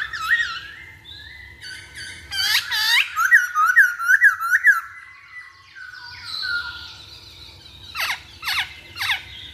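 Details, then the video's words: Masked laughingthrush song used as a lure to make other birds sing: loud whistled phrases with looping up-and-down sweeps, a run of five rapid bouncing notes, then sharp downward-plunging whistles near the end. "Pancingan Poksay Hongkong Paling Ampuh"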